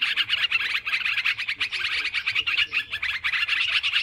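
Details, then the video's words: Lure recording of sooty-headed bulbuls calling noisily: bursts of sharp, chirpy notes pulsing in quick succession, with several birds overlapping in a constant bright chatter. "Suara Mikat Trucukan Ribut"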